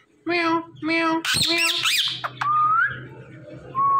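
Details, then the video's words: Pet Indian ringneck parrot imitating speech: two even, nasal, voice-like notes, a burst of harsh squawks, then a thin whistle rising at its close and another brief whistle. "Talking Indian Ringneck Parrot"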